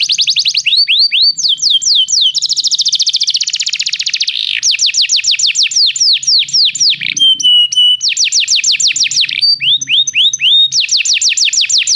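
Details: Canary song meant to get a canary singing: sustained medley of fast trills, repeated falling whistled slurs and a held pure tone, changing phrase every second or two, with faint low background noise.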